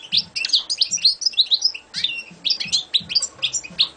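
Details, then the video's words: European goldfinch, a champion competition bird, delivering a fast continuous song of sharp liquid chirps and tinkling twitters in quick bursts, some notes rising and falling, with a faint low hum behind. "Şampiyon Saka Kuşu"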